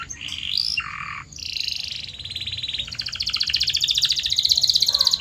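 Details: Canary song intended to make canaries sing more: varied whistled phrases and a low trill, followed by a long fast rolling trill that climbs in pitch and speeds up.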